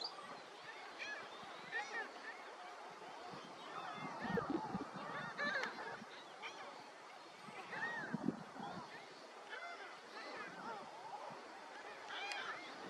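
A flock of greater flamingos keeps up a dense, overlapping chorus of nasal, goose-like honks and gabbling calls, with louder honks standing out every few seconds.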